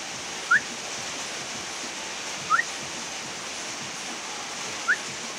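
A bulbul gives three brief, clear whistled notes, each rising slightly, spaced about two seconds apart, over a steady rushing hiss like flowing water.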